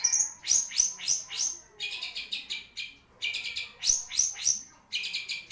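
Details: Long-tailed shrike, a songbird noted for long singing, delivers a rapid, varied song: quick downslurred high whistles in bursts of four, alternating with dense, buzzy chattering phrases.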